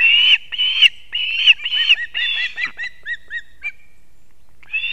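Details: Wild osprey at a Latvian nest in Kurzeme, early morning 3 September 2024, the male delivering two fish to the young: loud shrill whistles give way to a series of softer, falling chirps that fade out.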